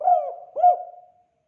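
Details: Spotted dove with part of its 'kuk 2' call: two mellow, rounded coos, the second with a trailing hum that fades, in a quiet recording.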